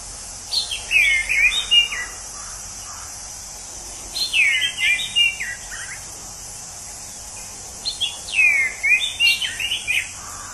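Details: A wild Orange-headed thrush sings sweet, varied warbled phrases of high slurred whistles. Each lasts about a second and a half and comes every four seconds over a steady insect hiss.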